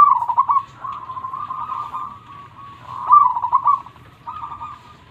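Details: Zebra dove of local Indonesian origin in steady song: rolling trilled phrases, a louder burst near the middle and a softer one toward the end.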